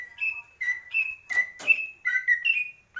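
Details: Greater green leafbird uttering clear, flat whistled notes at a steady pitch, about three per second, some paired with a lower note, interrupted by short clicking bursts.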